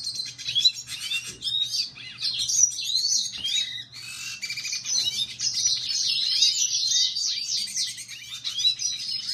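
A red siskin sings a long, continuous run of high twittering and buzzy trills, with chirps and slurred notes tumbling together; a faint low hum sits underneath.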